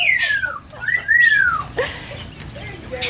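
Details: Pet yellow-naped amazon parrot imitating human song melodies such as You Are My Sunshine; smooth sliding whistled phrases, falling then arching up and down, with a person briefly speaking afterward.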